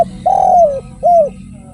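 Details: Two mellow coos from a derkuku, or spotted dove, in tanpa kuk and kuk 1 song: a long, gently falling note, then a shorter arched one.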